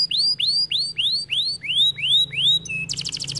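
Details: Kenari gacor canary song: a series of bright upward-sweeping whistled notes, each rising then levelling off, repeated roughly every third of a second, ending in a short burst of very rapid high chattering notes.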